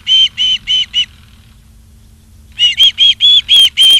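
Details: Charlo, Montana osprey on a live nature cam, 28 August 2023, 16:08: four clear whistled notes, a pause of about a second and a half, then six more, with a few sharp clicks among the last notes.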